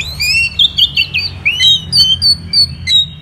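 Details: Caged Orange-headed thrush from Indonesia singing loudly: a run of clear, sweet whistled notes, some rising and some falling, given about three per second, ending in thinner high whistles.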